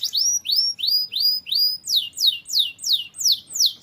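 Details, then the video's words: Singing canary in strong voice, used for training songbirds: a slow series of rising whistled notes, about three a second, switching to steeply falling slurred notes repeated at the same steady pace. "KENARI GACOR"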